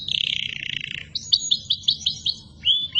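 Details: Canary singing as a master song for young birds: a fast buzzy rattle, then a series of quick sharp upward-flicked whistles repeated several times, ending on a rising whistled note.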